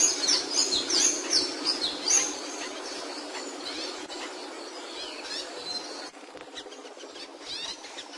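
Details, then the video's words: Capuchino seedeater singing: a fast run of high, sharp, downslurred whistled notes, about three a second for two seconds, then quieter scattered chirps over steady background hiss. "PAJARO CAPUCHINO CANTANDO"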